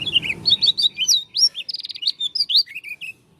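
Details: Lombok dakun Oriental white-eye with an unusual song: a continuous, fast, high twittering of slurred, upswept and downswept chirps, about three per second, with a faint low rumble at the start.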